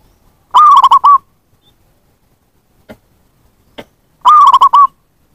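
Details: Zebra dove call played to lure wild zebra doves: two rapid coo phrases about three and a half seconds apart. Each is a string of short hooting notes ending in a drawn coo, with faint clicks between them.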